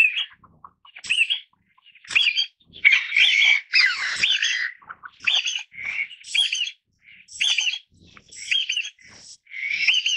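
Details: Taiwan bamboo partridge calling over ten seconds, a Taiwan endemic: a steady series of loud, strident, looping phrases roughly once a second, some overlapping in a busy, harsh chorus, with faint softer notes between bursts.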